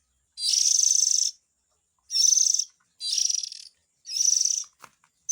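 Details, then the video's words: Oriental magpie-robin chick calls played as a lure for adult birds: harsh, hissing rasps, each about a second long, repeated four times with short silent gaps and a faint click near the end. "Suara Pikat indukan burung kacer ,suara anak nya"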